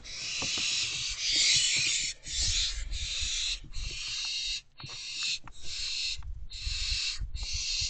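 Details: Barn owls in an owl box near midnight on 15 May 2023, as the male delivers food to his owlets; harsh, broad hissing screeches come in rapid bursts about once a second, with soft thumps and scratching in the box.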